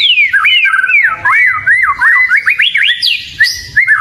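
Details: Oriental magpie-robin, called kacer, in energetic bait song. A falling whistle opens a string of rapid looping and zigzag whistled notes, with sharp high upward flicks near the end and a low background rumble.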